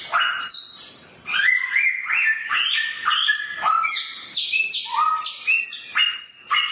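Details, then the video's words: Sharp-voiced samyong bird singing a fast, varied run of strong whistled notes, each sliding down or holding level, packed closely after a short opening phrase and a one-second pause. "burung samyong suara pedas"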